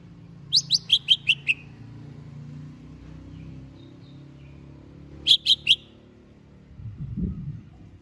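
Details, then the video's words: Caged greater green leafbird prepared for a singing contest: a quick burst of six sharp, piercing chirps, a pause, then three more, followed by a low rumbling noise. "Cucak HIJAU siap diajak LOMBA"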